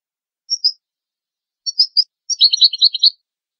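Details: European goldfinch from a tutoring recording for young goldfinches and hybrids: two separate pairs of thin, high chips, then a quick burst of tinkling twittering notes near the end, with silent gaps between.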